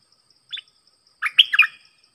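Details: Stripe-throated bulbul kept as a decoy bird for trapping, recorded 25 August 2021: a short double chirp, then after a pause a loud burst of rapid, bubbly warbled notes, with faint insect buzzing behind.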